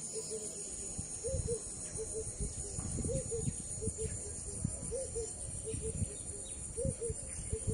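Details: Long-tailed glossy starling in The Gambia, November 2018, gives short, low, slightly arched notes, often in pairs, repeated over a steady high insect hiss and low rumble.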